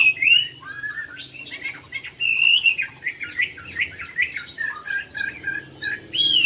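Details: Caged Chinese hwamei singing during the final round of a songbird competition at a club in My Dinh, Vietnam, July 19, 2020: a continuous stream of loud varied whistled phrases, slurred rising and falling notes mixed with quick chattering runs.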